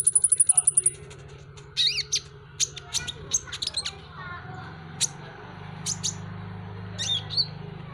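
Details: Van Hasselt's sunbird, locally called kolibri ninja, a popular cage bird, in a masteran recording: a quick burst of very high ticking notes, then scattered sharp high chirps and squeaks over a steady low hum.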